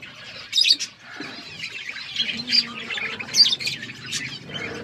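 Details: Budgerigars kept in a forest-style aviary chirp softly in the background, with a few louder squeaky peaks spaced about a second apart over low rustling.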